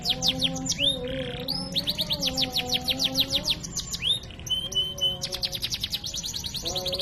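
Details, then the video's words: Canary singing in a lively, constantly active style called cengkok mewah, a training recording: rapid runs of downward-sweeping high notes, a short buzzy burst, a flat sustained whistle and fast chattering trills, with a steady low tonal hum beneath. "Masteran Suara Burung Kenari GACOR cengkok mewah"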